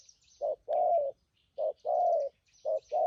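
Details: Spotted dove used as a trapping decoy, cooing in thúc gù style: paired short-then-long low coos repeated three times at an even pace, high chirping of small birds faintly behind.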